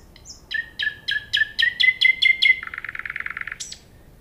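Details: Common nightingale delivering a rhythmic series of about eight loud strokes that rise in pitch, running into a fast churring trill and a final high note.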